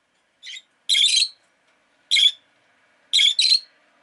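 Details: Chirping from a rosy-faced lovebird: a quick series of five rasping, shrill squawks, some paired in fast doublets, heard alone in a quiet room.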